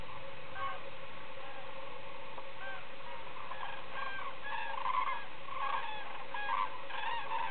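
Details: Common cranes (Grus grus) returning to the shore of Lac de Puydarrieux at the end of the day: many trumpeting together in a dense chorus of rolling, bugling calls that builds in the second half.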